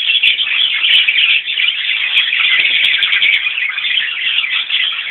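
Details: Mixed colony of Fischer's and Rosy-faced lovebirds gathered at fresh water, Fischer's birds drinking first as the dominant ones; a dense, continuous shrill chattering of many birds, high squeaky calls overlapping without pause.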